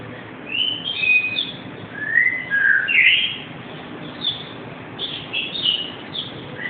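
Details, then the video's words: Captive black-capped lory, a pet parrot, calling: loud shrill whistles and squeals sliding up and down, in bursts separated by short gaps, over light room noise. "Zapper (black capped lory) - making noises (1)"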